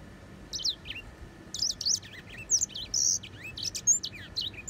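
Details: Grey singing finch singing a high, fast series of sharp chirps and thin descending whistles, bursts of notes separated by short pauses, over a faint steady hum.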